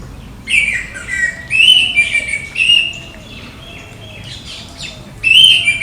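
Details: Orange-headed thrush from India delivering separate bright, high phrases of warbled and slurred notes, each about half a second long, spaced by quiet gaps of roughly a second, with faint background hiss.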